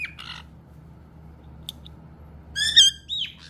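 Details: Caiques, a household of two black-headed and two yellow-headed (white-bellied) birds, give shrill harsh screeches indoors: a burst, a short chip, then a loud rasping scream over a low hum; one calling sets off the others.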